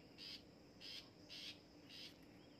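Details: Long-tailed shrike, trained to sing, giving four harsh, buzzy, noisy bursts spaced roughly every half second to second, over a steady low hiss.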